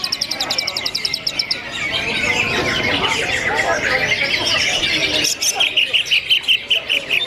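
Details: Simulated songbird contest with a crowded row of greater green leafbirds: rapid high ticking trill, then a long stretch of dense, overlapping warbling and squawky notes, then another fast run of sharp repeated notes.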